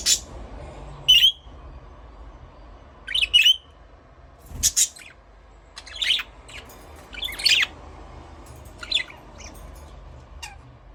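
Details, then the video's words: Budgerigar uttering isolated high chirps and short warbled squeaks spaced a second or two apart, with quiet gaps and a low hum underneath. "Parrot chirping sound"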